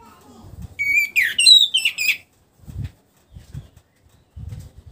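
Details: Orange-headed thrush, caged and singing again after moulting. It delivers one clear burst of high whistled and warbled notes lasting about a second and a half, followed by soft low thumps and knocks.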